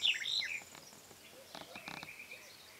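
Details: A Black-headed Bunting (Emberiza melanocephala) gives a brief burst of high, slurred and buzzy notes at the start, then fades into faint ticks and soft background hiss.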